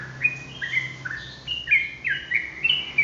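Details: Sooty-headed bulbul in ropelan style: a continuous chain of slurred, warbling whistles stepping up and down, about one phrase per second, over light background noise.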